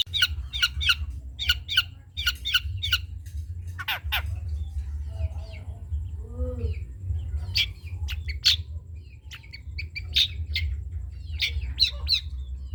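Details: Long-tailed shrike recording used as a tutor song for other songbirds: quick series of sharp clicks and chattering notes, a few lower squeaky sounds in the middle, continuing chatter later, over constant low rumble.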